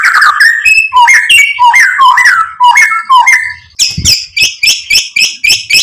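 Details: White-rumped shama song to provoke and excite: quick varied whistled phrases, then a regular series of harsh high chattering notes repeated roughly twice each second.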